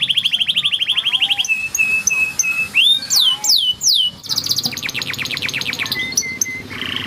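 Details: Yellow canary singing a varied song: a fast trill of high notes, steady whistled tones, loud descending swoops, then a rapid buzzy rattle and a flat whistle, all in quick succession.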